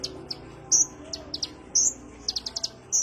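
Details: Sunbird (kolibri ninja) lure call: scattered high sharp chirps and quick double and triple ticks, plus several longer squeaky notes, irregularly spaced.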